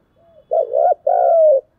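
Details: Single challenge coo from a spotted dove of the urging 'thúc gù' kind. A faint soft lead-in is followed by a rolling two-part low note and a long smooth coo that falls at the end.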